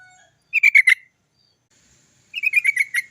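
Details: Sooty-headed bulbul lure sound to make birds sing quickly: two short bursts of four to six tight, buzzy chirps, separated by over a second of silence.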